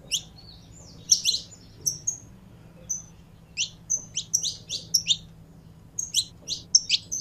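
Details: Saffron finch, a kept bird being warmed up to sing, giving bursts of high, sharp chirps and short whistled notes in quick clusters with brief pauses, over a faint low hum.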